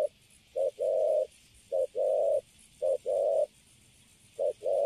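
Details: Caged wild-caught spotted dove cooing clearly in a quiet setting: paired phrases, a quick short hoot then a drawn-out level coo, repeated at an unhurried, slightly uneven pace.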